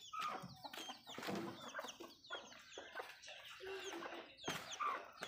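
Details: Backyard hens feeding, several birds giving short overlapping clucks and brief higher chirpy notes over a steady background hiss, with a few sharp clicks.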